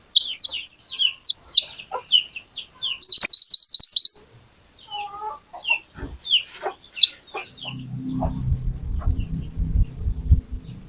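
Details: Little pied flycatcher lure, played to get other birds singing, in a lively, sharp-shooting style: quick high chirps and slurs, then a loud buzzy pulsing trill, scattered notes, and finally a low rumbling noise.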